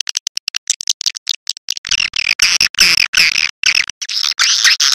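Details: Swiftlet calling at dusk as a lure near nesting sites: quick, separate high ticking chirps that swell into a continuous, harsh, buzzy twittering chatter.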